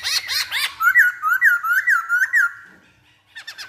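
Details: Masked laughingthrush song as a lure for provoking singing: harsh rising notes, then a quick chain of looping whistled phrases, about five, followed by a short silence and a final harsh burst.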